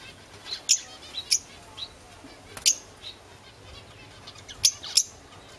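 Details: A home-kept pair of green masked lovebirds, with the household since December 2008, utters sharp, squeaky high chirps in loose clusters, several in quick pairs, over quiet background twitter.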